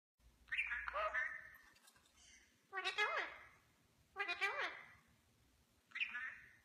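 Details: Pet rose-ringed (ringneck) parakeets "in conversation" indoors: four harsh, warbling, speech-like calls, each rising then falling, spaced about one and a half seconds apart.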